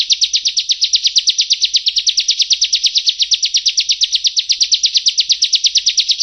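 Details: Yellow-bellied prinia tutoring song: a continuous fast trill of high, sharply slurred chirps, nearly six per second, held steadily for several seconds over faint low background noise.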